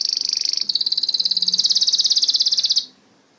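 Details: Canary sings a long, rapid, even trill on one high pitch that pulses steadily for nearly three seconds, then stops abruptly into quiet.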